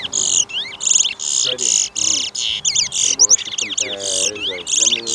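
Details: Towa towa (chestnut-bellied seed finch) singing at a bird race on Lamaha Street, Georgetown, Guyana, 2023, two birds competing: rapid bright phrases of repeated buzzy, ringing high notes and quick slurred whistles, with faint crowd voices beneath.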